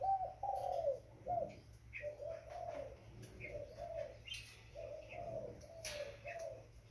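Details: Young spotted dove: soft, low hooting coos broken into short segments, louder at the start, with brief high chirps scattered across the background and a steady hum below.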